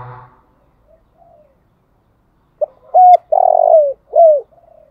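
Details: Spotted dove, a decoy bird, giving its morning calling coo in the 'thúc gáy gọi' style. After a quiet start, a short note leads into low hooting coos. The middle coo is long and buzzy, and the last falls away.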